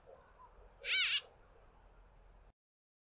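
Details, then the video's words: White-fronted Bee-eater from a small flock hawking insects from fence poles, giving one nasal squeaky-toy call after a few thin high chirps, then quiet. "WHITE-FRONTED BEE-EATERS calling their loud nasal "squeaky toy' calls"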